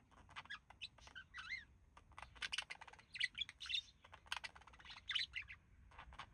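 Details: Pet male budgerigar, one of a relaxing couple, said to mimic human speech; busy chattering warble of short buzzy and whistled notes, rapid and irregular, with quiet room background.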